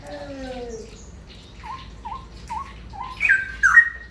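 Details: Ropel-style song of a straw-headed bulbul: low gliding tones, then a run of four short, evenly spaced dipping notes, ending with two louder, bubbling warbled phrases.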